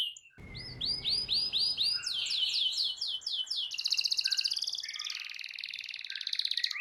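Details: Singing canary heard as a master recording meant to trigger song in a silent bird: evenly spaced arched notes, then a dense, rapid rolling trill held for several seconds over faint background noise.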